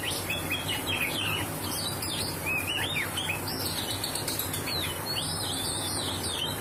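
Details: Oriental magpie-robin in 'roll speed' song, pouring out quick, clear whistled phrases with rising and falling slurs and short trills, almost without pause, against a constant low background hum.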